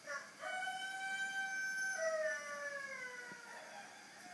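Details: Chicken crowing at 3:50 a.m., heard loud and close: a strong harmonic crow with a brief opening note, a sustained level middle section, then a long descending tail that trails off.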